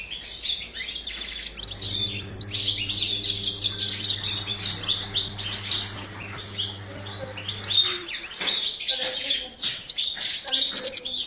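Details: European goldfinch song during breeding in captivity: a bright, rapid chatter of high tinkling chirps and trills. An electrical hum runs from the second to the eighth second.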